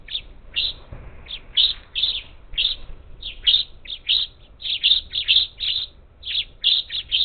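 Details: Up to ten parakeets at a feeder camera on the outskirts of Houston, Texas, on the Gulf Coast, 27 July 2021: loud, harsh, scratchy chirps in rapid overlapping bursts, nearly continuous chattering throughout, little background noise.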